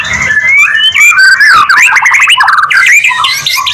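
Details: White-rumped shama song used to trigger other shamas into singing: varied loud whistled phrases, sliding and warbling notes mixed with harsh chatter, over a low background hum.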